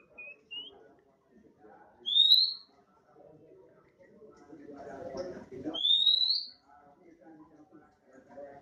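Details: A 'bahan' oriental magpie-robin gives a couple of soft notes, then two loud rising whistles a few seconds apart in 'nembak' style, with a burst of rustling noise between them.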